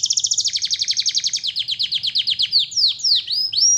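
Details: Canary in full song for training other birds: a rapid, pulsing high trill that slows gradually, then breaks into sharp downward-slurred whistles and a final rising note.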